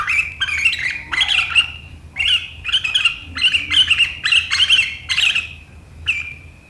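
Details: Sooty-headed bulbul giving sharp 'riwikan' chatter that draws rivals into song, 7 April 2023: about nine evenly spaced bursts of harsh, buzzy chattering, each under a second, over a quiet background.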